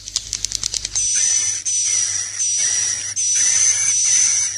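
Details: Swiftlet 'inap plus' roosting lure call: quick burst of clicks, then high hissing buzzy phrases with a fine whistle line, each lasting about a second and split by short pauses.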